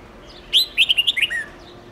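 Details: Long multi-voice song (âm 7-8-9-10) of a red-whiskered bulbul, used to teach young birds. After a pause, one bright whistled note is followed by a rapid run of five or six rich, ringing notes ending in a lower slur.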